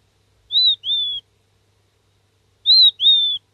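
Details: A seven-day-old king quail chick gives contact calls: clear, high whistled peeps in two-note pairs, falling slightly, about two seconds apart, with near silence around them.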